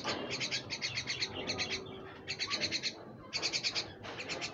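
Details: Pet common myna giving bursts of rapid, harsh, high chirps, several notes per burst, with brief pauses between bursts; faint low background noise underneath.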